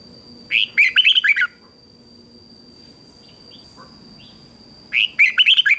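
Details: Competition song of a red-whiskered bulbul, played to train birds: brisk bursts of quick chirping and warbled notes, repeated after a pause of several seconds, a constant high hum behind.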